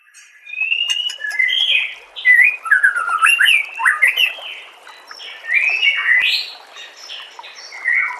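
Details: White-rumped shama song used as tutor audio for training caged birds: a flowing run of clear, varied whistled phrases, sliding up and down in pitch with brief pauses, and thin high notes scattered above.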